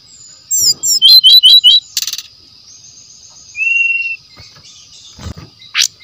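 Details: Wild brown-chested jungle flycatcher song, used as a training lure: a quick series of bright high trilled notes, a short buzzy burst, then a level whistled note and a final sharp chirp, with a faint constant high hum.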